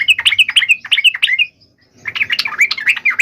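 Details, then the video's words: Yellow-vented bulbul fighting call used to provoke other bulbuls to answer immediately: bubbly, jumbled chattering phrases, a short silence, then more rapid warbled notes. "trucukan gacor TARUNG FULL EMOSI TAJAM ini ampuh MENJADIKAN agar burung trucuk gacor NYAUT SEKETIKA"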